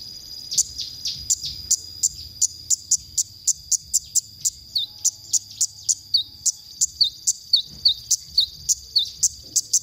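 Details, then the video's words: Konin masteran song for training songbirds: sharp high notes repeated steadily, about three to four per second, some ending in short downward whistles, with a faint low hum. "masteran konin"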